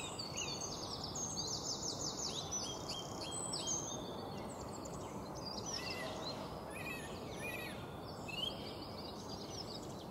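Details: Song thrush (Turdus philomelos) song recorded in Beverwijk, the Netherlands, 2018: dense run of high, rapidly repeated chirps and whistled notes, some phrases doubled, then sparser notes later, all over constant rushing background noise.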